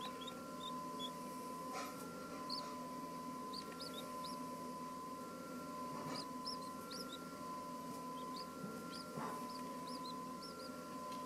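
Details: Two two-day-old Chinese blue-breasted quail chicks, likely one Darth Vader and one golden pearl variety, seemingly unsure about being filmed, give thin, high cheeps, scattered and overlapping every second or so, over a steady mechanical hum.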